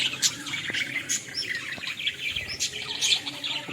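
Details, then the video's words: Several Australian parrots chattering in a village setting, a steady mix of high, thin chirps and short squawky warbles overlapping without pause. "Australian parrot original sounds"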